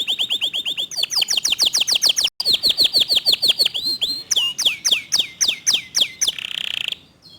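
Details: A local canary delivers rapid 'tembakan' bursts: evenly spaced whistled notes about three per second, sweeping downward phrases with a brief break, louder high whistles, then a buzzy rattling roll that fades out.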